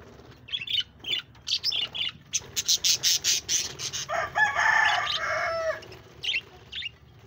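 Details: Budgerigars kept as pets, 1 June 2024: brief high chirps, then a string of harsh, noisy bursts, followed by a longer warbling, buzzy call with wavering tones before scattered chirps resume.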